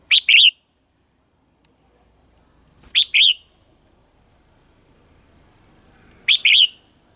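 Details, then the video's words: {'caption': 'Red-whiskered bulbul morning song in the mature wild-forest voice style, recorded as lure sound for training caged birds: crisp double-note phrases, each a sharp chirp then a liquid warble, repeated about every three seconds in a quiet background.'} "Luyện giọng cho chào mào hót sáng, chào mào hót giọng già rừng hay tuyệt"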